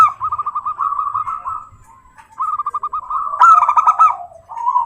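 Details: Zebra dove song used to coax local doves into singing: two trains of quick, even coos separated by a short pause, then a louder, sharper burst of overlapping notes and a final rolling phrase.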